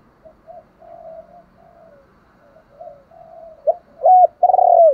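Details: Spotted dove in luring mode, soft low murmuring coos that build to two loud, ringing coo notes near the end, the last one long and slightly falling.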